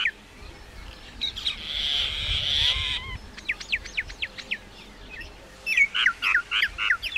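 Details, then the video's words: Mynah song made of a harsh churr, then a rapid chatter of thin, steep notes and a final burst of loud, gurgling whistles. "Common myna bird song /Indian maina sound /mynah singing"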